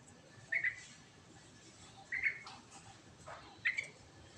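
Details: Sooty-headed bulbul singing in the rolling "ngerol" style: three short, bright whistled notes spaced about a second and a half apart, over faint background hiss.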